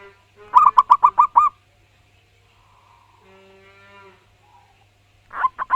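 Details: Zebra dove (perkutut) of a local wild type, singing loudly in full voice: a run of about seven quick coos, a stretch of faint murmuring sounds, then another burst of coos starting at the end.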